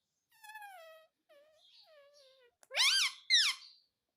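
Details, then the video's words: Parrot mimicking the word "mummy": soft drawn-out falling whistles, then two loud, sharply swooping nasal syllables in close succession. "Mummy Mummy Bolne Wala parrot || ❤️🦜❤️ || Cute Parrot Mitthu taking mummy"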